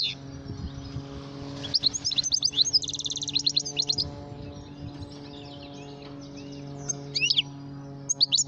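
Goldfinch giving quick, tinkling twitters and high chirps in two bursts, with a steady low electrical hum underneath.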